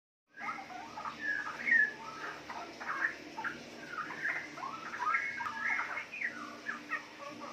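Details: Four-month-old captive female Straw-headed Bulbul, DNA-sexed, bred from wild-type parents in Yogyakarta city, Indonesia, giving riwik chatter: a steady stream of short, quick warbled notes, some rising and some falling, with no pauses for seven seconds.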